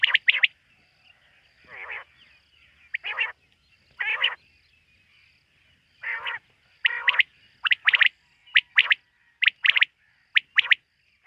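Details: Nighttime quail calls from a bird hunted locally: broad, hoarse notes spaced apart early on, then a faster series of sharp, clipped notes toward the end.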